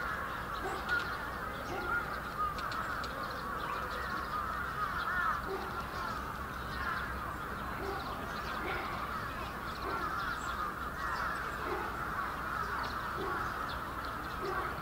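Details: Winter gathering of many bramblings at Yoyogi Park, Japan, February 2019; sustained overlapping chirps and twitters fill the whole stretch, with scattered lower notes repeating every few seconds.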